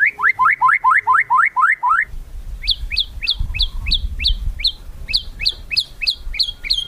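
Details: White-rumped shama crackling song used to provoke rival birds into singing; a fast series of about ten loud rising chirps, then a run of sharp, evenly spaced high clicking notes over low background rumble.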